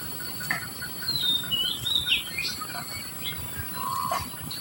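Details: Society finch with young being fed: long high thin whistle bending downward, followed by short chirps and a lower buzzy note near the end, with steady hiss behind.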